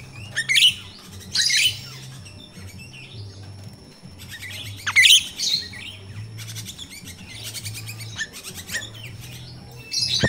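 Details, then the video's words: Myna (jalak rio-rio) singing in the wild, used as a lure for captive birds in training: harsh squeaky bursts and buzzy rattling chatter in irregular phrases, over a steady low hum. "Suara jalak Rio-Rio asli alam// pancingan untuk jalak Rio-Rio bahan"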